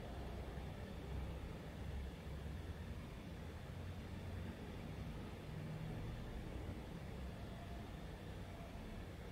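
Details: Only a steady low rumble of passing road traffic is heard, with no animal calls.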